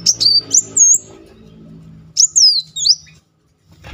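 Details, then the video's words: Sunbird, called kolibri muncang, used as a lure to stir a silent bird into singing; high thin whistled phrases with sweeping slurred notes, two bursts separated by a quiet gap, faint low hum beneath. "Kolibri Muncang gacor ngeroll || pancingan terapi memancing emosi Muncang macet."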